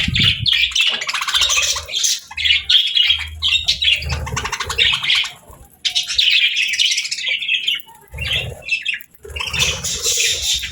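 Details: Cheerful pet budgerigars keep up a steady stream of high, buzzy chirps and warbled squeaks, with short pauses near the middle and low background rumbles between phrases.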